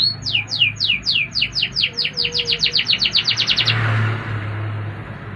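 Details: Indonesian canary singing a quick series of about twenty descending swept notes that speed up into a dense trill, then fade into a brief rushing hiss over a faint low hum.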